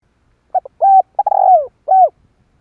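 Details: Spotted dove call used as a lure for trapping wild doves: two short clipped coos, then a steady mellow coo, a longer burry rolling coo sliding downward, and a final falling coo. Quiet background.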